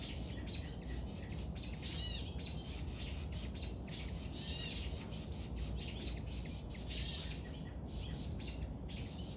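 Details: Young woodpecker being fed: a dense, continuous chorus of thin, high-pitched chirps and squeaky buzzes, repeated rapidly throughout, over a steady low rumble of background noise.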